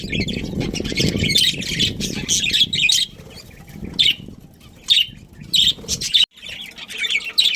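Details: Breeding budgerigars chattering steadily with high twittering chirps over a low rumbling background, then calling in shorter separate bursts.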